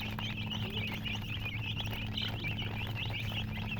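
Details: Baby domestic chickens, colored chicks, cheeping in a dense chorus; the quick, high, bouncing chirps never stop, above a steady mechanical hum.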